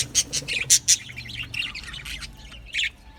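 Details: Australian budgies in a colony aviary: several loud high chirps in quick succession, followed by softer chattering warble and one final bright chirp.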